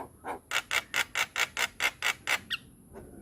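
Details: Javan myna, white-eyed type, in tutor song for training birds: a series of about ten harsh, evenly spaced chattering notes, roughly four per second, ending with a short slurred whistle.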